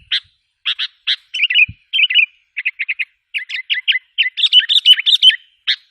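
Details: Sooty-headed bulbul lure call, used to provoke and agitate wild bulbuls. Short chirps, single or paired, give way to quick warbled bubbly phrases that grow busier toward the end, with a brief low thump near the middle.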